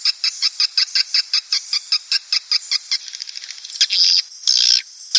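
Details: Lure played to bring swiftlet colonies into a nest house: evenly spaced high clicks about four per second, then a sparser run of ticks and two longer shrill chirping bursts.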